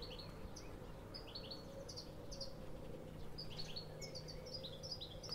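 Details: European Goldfinch calls: rapid, liquid twittering notes, high and bright, in loose clusters throughout, over a steady low hum of background noise.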